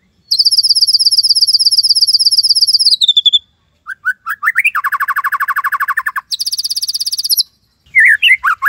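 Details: White-rumped shama in vigorous tembakan Cililin song, used as master material: a long sustained high buzzy trill, short rising notes, a fast lower rattle, another high trill, then squeaky closing notes.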